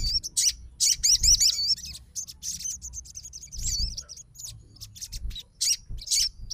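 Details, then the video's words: Sogon fighter bird reacting immediately to another sogon's song: lively high-pitched chattering song, rapid squeaky notes in uneven bursts about two per second, with soft low rumble underneath. "SOGON FIGHTER LANGSUNG RESPON DENGAR SUARA SOGON GACOR"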